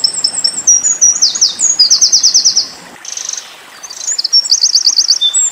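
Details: Eurasian wren singing in the 'tembakan' burst style, kept as tutor song for white-eyes: fast, piercing high trills and rattling runs for three seconds, a short break, then another quick trilled phrase.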